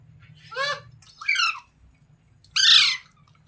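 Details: Three loud, raspy parrot squawks, each about half a second long and spaced roughly a second apart, over a low steady background hum.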